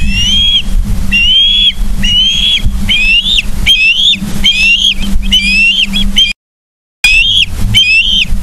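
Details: Ospreys at a nest in Charlo, Montana, on 31 August 2023 at 09:36, filmed by a live nest camera: a long run of loud, sharp whistled chirps, each rising then slightly falling, given about once a second over a steady low electrical hum.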